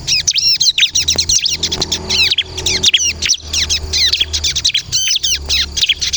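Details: Ciblek kristal, the bar-winged prinia, in continuous song used for bird luring: rapid, crowded high chirps and sharp whistled notes tumbling on for several seconds with barely a pause, faint low hum behind.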